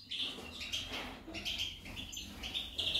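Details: Continuous twittering from a female goldfinch: a tight, fast chatter of high chirps with short buzzy trills, set against low steady noise.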